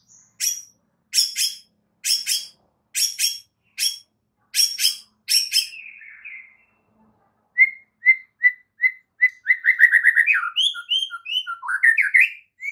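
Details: White-rumped shama morning song, played to make other shamas sing: a series of sharp, clicking notes spaced about half a second apart, a short pause, then rapid whistled chips and varied fluty phrases.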